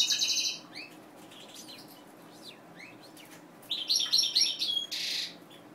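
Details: Captive European goldfinch from mutation breeding, singing in two short bursts of bright, high twittering, one opening the recording and another about four seconds in, separated by quiet stretches with faint clicks and rustling.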